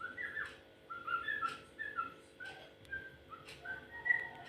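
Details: Unusual calls of a yellow-vented bulbul: short liquid whistled notes, some slurred downward, given in loose clusters with brief pauses, over a low steady background hum.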